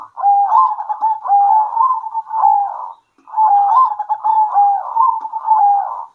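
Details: Two long, dense phrases of rolling, stuttering coos from local zebra doves answering each other at midday, each phrase lasting nearly three seconds.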